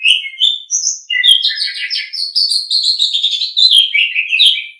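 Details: Pet Asian pied starling pouring out a continuous, loud, chattering song of whistles, buzzy notes and squeaky chirps with no pauses; used as a tutor recording to get kept birds singing.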